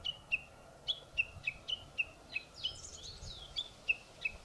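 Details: Morning song of a Japanese bush warbler perched high on a treetop: sharp, high notes repeated about three times a second, with fainter chirping behind them in a quiet outdoor setting.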